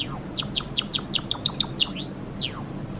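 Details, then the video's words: Indoor pet Java sparrow, a four-year-old male courting a white female: a quick string of about eight evenly spaced ticking notes accelerating into a single long whistle that rises then slides down. "想いを乗せたさえずり 桜文鳥＆ごま塩文鳥"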